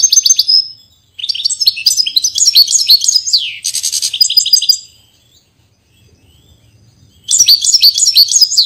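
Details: European goldfinch, a Portuguese bird, delivering two bursts of rapid liquid twitters and buzzy rattles separated by a pause of about two seconds, high-pitched and lively throughout.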